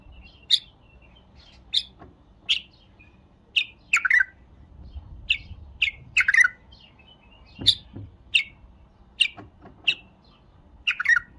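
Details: Bulbul singing: short, sharp chirped notes, each slurring down, repeated about once a second in an uneven series, several doubled into quick rich bursts, over quiet background.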